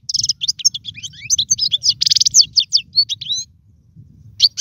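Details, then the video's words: European goldfinch singing alone in a cage, offered as a tutoring song for teaching young birds to sing. It gives a fast, high twittering run of tinkling chirps, short trills and buzzy notes, then pauses briefly before one last note, with a faint low hum behind. "اسمع المقنين واعطي رايك فيه,افضل تغريد لتعليم الفراخ"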